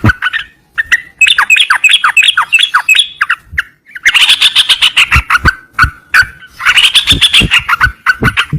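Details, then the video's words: Loud yellow-vented bulbul song: tumbling, bubbly phrases of slurred notes in quick succession, then dense chattering bursts, with occasional sharp clicks between. "burung cerucokan berkicau"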